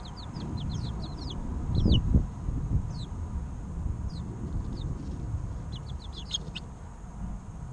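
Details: Three-week-old chicks peeping in scattered bursts of thin, falling chirps at the start and near the end, with a couple of dull low thumps and a steady rumbling background.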